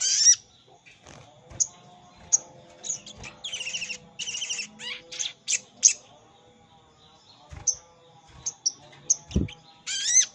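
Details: Sogon calling a rival, a lure for wild sogon that are hard to bring down to a trap: a varied run of high chirps, buzzy rasping notes and squeaks, with a faint steady low tone behind.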